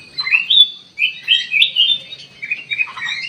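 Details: Sooty-headed bulbul used as a lure recording to provoke a reply; lively warbled notes sliding up and down in quick clusters, with a faint low hum underneath.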